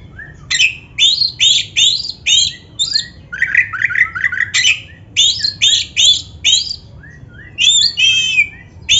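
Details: Loud continuous song of a black-breasted Oriental magpie-robin, meant to trigger caged birds to sing: quick repeated upslurred whistles roughly twice per second, with a run of lower warbled notes in the middle.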